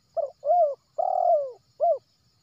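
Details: Wild spotted dove from West Sumatra, used as a lure for trapping. A full phrase of four notes: a short burry note, an arched coo, a long slightly falling coo, and a short closing coo. All are low, mellow and clear, with little background.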